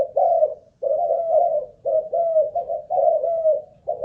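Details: ['Decoy spotted dove, Malaysian stock, in a cage cooing steadily: rolling mellow coos run together in linked doubles and triples, pitch level and low, only short gaps between phrases.']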